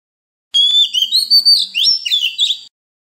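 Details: Oriental magpie-robin (Copsychus saularis) wild-type song used to train young birds to sing: a rapid two-second run of clear, high whistles and sweeping slurred notes, varied and musical.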